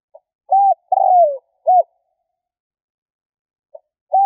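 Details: Provoking lure call of a spotted dove: a soft pip, a short arched coo, a longer rough coo falling in pitch, another short coo, then silence before the next phrase begins.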